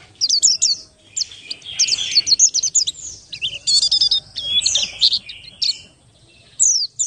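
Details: Oriental white-eye of the Buxtoni race, a lure to make other white-eyes sing fast, delivers a rapid high twittering song of clipped chirps and trills in bursts, with a short pause before a final phrase.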